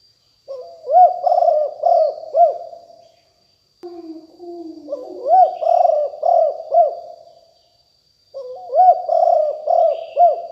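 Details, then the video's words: Spotted dove of a fierce strain, used as a decoy caller, singing in the lium tan style in 2021: three phrases of hoarse, arched coos, each rising then dropping, roughly five notes per phrase, with brief pauses between phrases. "นกเขาใหญ่คับ หลิ่วตันสายพันธุ์ดุ#9 ครบเครื่องเสียงต่อนกเขาใหญ่2564"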